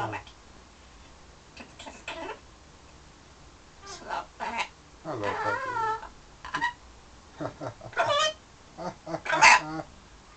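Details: Pet parrot indoors in London, flirting with its mirror image and with birds outside the window: a varied run of short harmonic squawks and warbled, wavering notes, some rising and falling, spaced irregularly over ten seconds.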